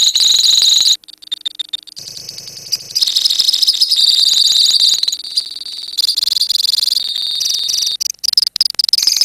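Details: Lovebirds in a colony in ngekek song: bursts of very fast, shrill rattling trills broken by short pauses and softer chatter, then long stretches of continuous, buzzy high trilling.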